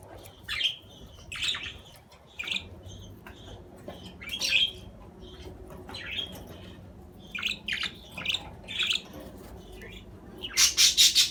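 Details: Budgerigar chatter: a steady run of quick, high, scratchy chirps and warbles, roughly two or three per second and irregular in spacing, ending in a loud harsh squawk burst.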